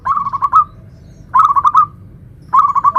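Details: Local zebra dove giving "nutut" song phrases meant to draw other zebra doves into song: three short bursts of rapid, rippling coos, each trailing off, spaced about a second apart.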